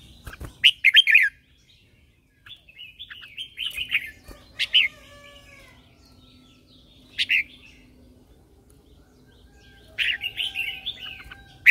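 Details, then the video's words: Morning song of a red-whiskered bulbul used as a lure and song trainer for other birds. Several bursts of loud, bubbly whistled warbles separated by pauses and faint softer notes. "Chào mào mồi hót gọi bổi"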